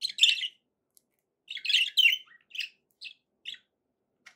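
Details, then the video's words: Budgerigar song of varied high twitters and buzzy notes, a loud burst then a chattering run of short chirps and clicks, sung for pet parrots. "budgie sounds to encourage your parrot to eat and sing"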